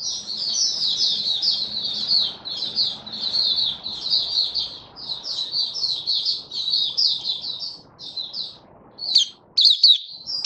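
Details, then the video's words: Continuous high, rambling warble from a caged Malaysian white-eye on a warm, sunny day in Singapore, 20 March 2023, rapid jumbled notes with a faint low murmur beneath, ending with a few sharp separate chirps. "Malaysian Mata Puteh Happy Buka Sing"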